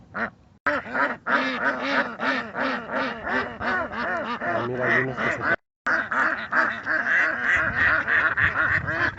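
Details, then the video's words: Ducks seen in their natural state, quacking in a dense chorus of nasal, harmonic-rich calls that overlap and repeat about three times a second, with brief silent gaps near the start and around the middle. "Sonido de Patos"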